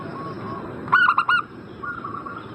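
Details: Zebra dove lure call used to provoke a bird in breeding condition into answering: one short burst of three or four quick, throaty, harmonic cooing notes, then a faint, steady hum in the background.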